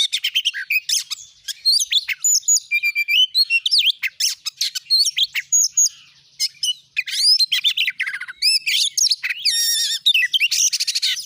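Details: Oriental magpie-robin, a strongly singing bird used as a lure to provoke other magpie-robins into song: loud, varied, high whistled phrases with sharp rising and falling notes, rapid trills and buzzy stretches, nearly continuous with brief pauses, no other sounds.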